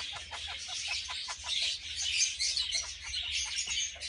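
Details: Red-fronted parakeets, a bonded captive pair, chattering while mating: fast strings of harsh, high ticking notes, swelling and fading slightly in loudness but never pausing.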